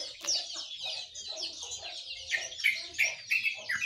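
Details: Birds in the morning, said to include sooty-headed bulbul, yellow-vented bulbul and white-eye, produce busy high chatter with bubbly mid-pitched notes, ending in a string of sharper, clearer whistled chirps.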